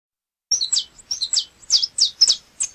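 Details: Saffron finch, known locally as canário chapinha, singing loud, sharp high chips in quick irregular bursts of two or three notes after a short silence.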